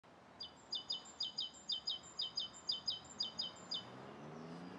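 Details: Rosy starling (Pastor roseus) calling on the morning of 29 November 2014 in Bishopston, Bristol: a quick series of about a dozen sharp, high chips, two or three a second, over a low background rumble.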